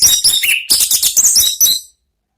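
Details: Anis merah, the orange-headed thrush, giving 'ngeplong' song meant to draw other birds into singing. Quick high chirps alternate with bright slurred whistles and one short level whistle, pouring out for two seconds before stopping abruptly into silence.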